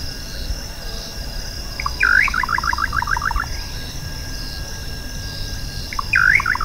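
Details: Little nightjar (Hydropsalis parvula) singing: a loud swooping opening note, then a quick run of about nine short, clipped descending notes lasting over a second, the phrase starting again near the end over a steady high insect drone.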